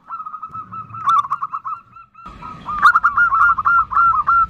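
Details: A female zebra dove calls the male in a nutut call. Dense, rolling runs of short, bent coos come in two bursts with a brief gap between them, over a low, rumbling background.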